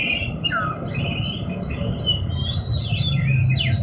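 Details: Horsfield's bush lark, a kept songbird, giving a falling whistled note then a series of high downslurred chirps and twitters, over a constant low rumble.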